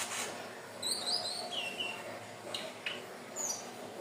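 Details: Hill blue flycatcher, its song used to attract birds: a few quick, high, thin whistles, one sliding downward, followed by soft scattered notes and light background hiss.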